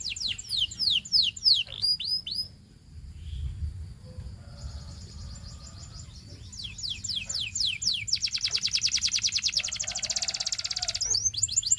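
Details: Canary training song: rapid series of falling whistled notes, a softer passage, then renewed descending note series leading into a dense, fast rolling trill before a final burst of slurred notes.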